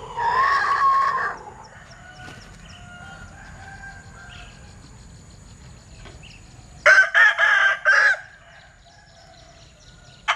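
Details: Two crows from a Linh Kê chicken with an unusual voice: a wavering, drawn-out note at the start, then after a long quiet gap a loud crow in four stuttering bursts.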